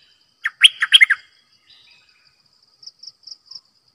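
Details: Decoy bulbul singing a brief rapid phrase of five bright, rich chirping notes, followed by quiet and a high rhythmic insect trill pulsing in the background.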